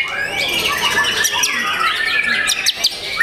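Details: A young white-rumped shama pours out a dense, rapid song of varied whistles, trills and chattering notes, with other bird chirps overlapping throughout.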